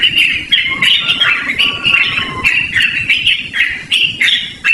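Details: A long-playing, loud Yellow-vented bulbul song used as a lure or a master sound for training. Dense, bright warbled phrases tumble over one another in quick succession, with a few thinner sustained tones underneath and a soft low background hum.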